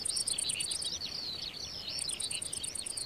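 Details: Eurasian skylark singing a fast, unbroken run of high twittering and trilled notes, with a regular, very high pulsing tick and a steady hiss throughout.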